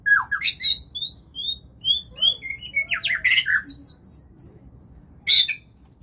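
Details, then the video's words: White-rumped shama singing vigorously: a varied run of clear whistled notes, quick downward-sliding phrases and sharp harsh bursts, with short pauses between phrases and a few lower whistles, all against a quiet background. "kicauan burung murai batu gacor"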